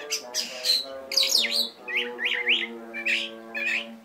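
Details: Oriental magpie-robin singing 'tembakan' bursts of hoarse squawky notes and looping chirps, some swooping up and down, over a continuous low droning tone with stacked harmonics.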